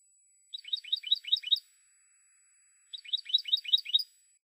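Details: Spanish goldfinch from a silvestrismo song CD. It delivers two matching bursts of rapid, tinkling twitter about a second each, with a pause of just over a second between them.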